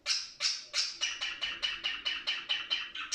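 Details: Budgerigar in breeding season repeating a harsh, scratchy chirp about three times per second, ten evenly spaced notes in a steady series, ending on a higher squeak.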